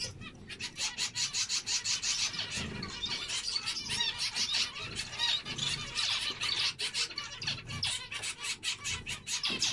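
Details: Many finches chattering, a dense stream of short squeaky and buzzy notes with quick clicks, continuous busy high chorus over nearly ten seconds.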